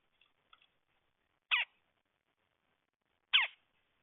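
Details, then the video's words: Red-headed woodpecker calling with two rough, scratchy notes about two seconds apart, preceded by faint ticks. "Redheaded woodpecker"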